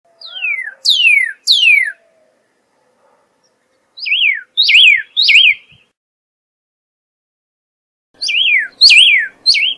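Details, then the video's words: Pyrrhuloxia starting with two long steeply falling whistled slurs, followed by groups of sharp zigzag descending whistles separated by short pauses. "Pyrrhuloxia Song! Pyrrhuloxia Call! Pyrrhuloxia Sound! - Cardenal Pardo Canto"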